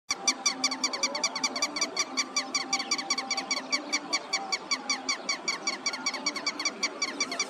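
A red-wattled lapwing gives shrill, sharp notes in a fast, steady series, a little over two a second, against a faint background hum.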